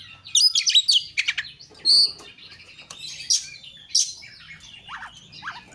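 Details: Energetic song of an Oriental magpie-robin (kacer), recorded as a lure to set other kacer singing. A fast cluster of high whistles and chirps, then scattered sharp notes and short descending whistles against a faint low hum.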